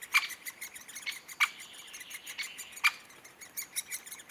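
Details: Great spotted woodpecker giving three loud, sharp, clipped kik notes spaced irregularly over a few seconds, with fainter ticking calls and light high hiss between them.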